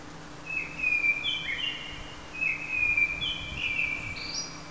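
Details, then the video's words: Common blackbird singing two fluty, warbled low phrases followed by brief high twittering notes, each phrase about a second and a half long, over a faint steady hum. "Feketerigó énekel"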